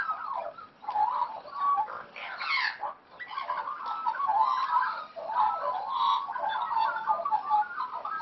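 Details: Wild-raised Australian magpies at play give a steady stream of mellow, gurgling warbles and fluted notes, several voices overlapping with no pause, plus a few harsher rasping bursts.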